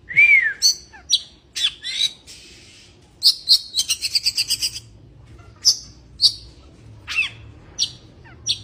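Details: Breeding-condition Oriental magpie-robin opening with a slurred downward whistle, then sharp high notes and a rapid rattling run of about eight clicks, followed by spaced piercing chirps.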